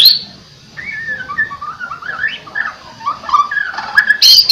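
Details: White-rumped shama trained for energetic song: a long run of varied, rich whistled notes rising and falling in pitch, closing with a sharp high burst, with low background noise.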